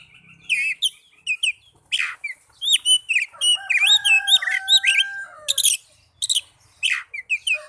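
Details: Oriental magpie-robin song meant to prompt young or silent birds to sing: looping whistled notes, sharp down-sweeps and a long steady two-toned whistle, in lively irregular phrases.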